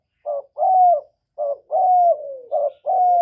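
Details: Loud spotted dove song, recorded live in clean conditions to stimulate caged decoy doves; deep cooing phrases of a quick short coo then a drawn-out, gently falling one, repeated about three times in succession.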